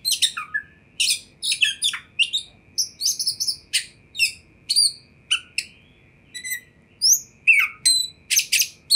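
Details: Oriental magpie-robin song used to trigger responses from other magpie-robins; varied whistled phrases, sharp downward slurs and high buzzy chips in steady quick succession, low hum in the background.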